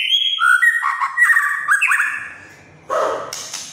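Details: White-rumped shama singing vigorously, a song said to agitate other shamas: clear whistled notes stepping down and then up in slides, followed by a pause and a brief harsher, noisier burst.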